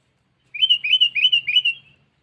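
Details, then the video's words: Sooty-headed bulbul calling to a rival, a lure call: four rapid, liquid chirps run together in just over a second, each note sliding down and back up, with a faint low hum beneath. "Suara Burung Pikat Kutilang Cengkeram || Kutilang Memanggil Lawan"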